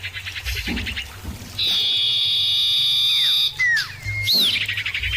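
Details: Common iora song used as a lure recording to prompt other ioras to answer: clear, loud whistled notes, a long steady high whistle, then quick downslurred whistles and a rising note over a soft low hum.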